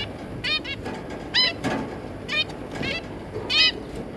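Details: Recorded 3 July 2022, zebra finches, a breeding pair with three juvenile young: about six nasal, beeping calls with harmonic stacks, some doubled, spaced roughly half a second to a second apart.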